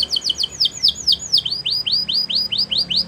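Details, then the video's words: Rapid chattering notes from a Belgian canary in the morning shift into a slower chain of clear, arching whistles repeated about four times a second. "Belgian Canary Singing In The Morning"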